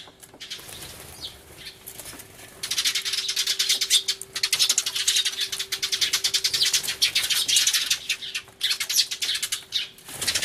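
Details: A noisy crowd of sparrows crying loudly, recorded 24 March 2013 on a camcorder with a turtledove among them; after a quieter start, an unbroken stream of rapid, overlapping high chirps fills most of the recording.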